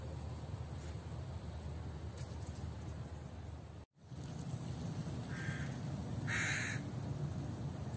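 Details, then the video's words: Two harsh, nasal crow caws come close together near the end, over steady low rumbling background noise. "crow sounds"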